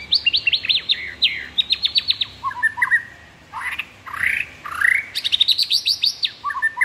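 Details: Murai batu (white-rumped shama) in rich varied song full of imitated phrases: rapid trills of steep downward sweeps, short warbles, upslurred whistles and a fast chattering run.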